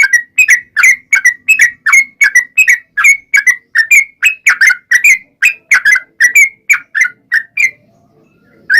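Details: Yellow-vented bulbul lure song in a long rolling style, meant to provoke birds into replying: steady chain of short, warbled bubbling notes repeated roughly twice a second for eight seconds, then a brief quiet hum.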